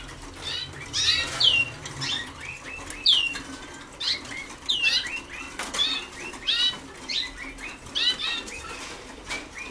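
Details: Young Waterslager canaries a few days into song training: quick series of bright chirps and upswept whistled notes in irregular bursts, with soft fluttering and faint room noise beneath.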